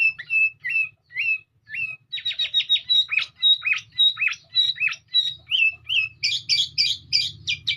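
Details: Sooty-headed bulbul song: short rising whistled notes, then a fast run of sharp clipped chirps, ending in a bright buzzy high-pitched chatter, with a faint low hum underneath.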